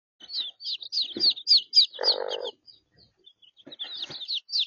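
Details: Chicks in Australia, three-week-old birds abandoned by their mother and housed with three-day-old chicks for warmth, give a rapid stream of high, downslurred peeps, with a short lower rasping burst midway and a few soft lower notes.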